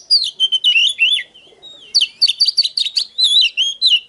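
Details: Oriental magpie-robin singing clear, sliding whistles that dip downward. After a short quiet gap comes a quick run of sharp, varied chirps and fluting notes.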